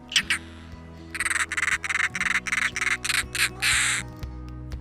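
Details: European roller, a Polish bird, gives a quick run of harsh, grating, crow-like notes, about four a second, ending in a longer rasp, over soft background music.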